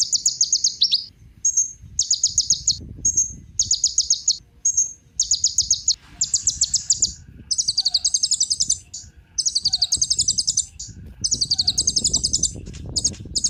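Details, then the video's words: Sunbird known as kolibri ninja, a lure recording to prompt other birds to sing: long run of shrill, rapid trills in repeated bursts of about one to two seconds, with brief thin notes between them. "Kolibri Ninja Pancingan Penggacor Burung Cocok Buat Isian Segala Burung"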